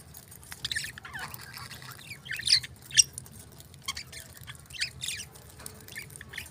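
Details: Budgies chirp in a busy chattering stream of short high twittering notes and sharp squawks, several birds overlapping, with a faint low hum behind.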